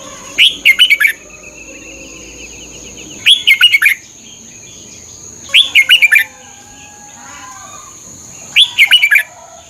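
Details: Red-whiskered bulbul song used to stimulate and train caged birds, four short bright phrases of five quick warbled whistles repeated about every three seconds, with faint softer birds and a steady high hum behind.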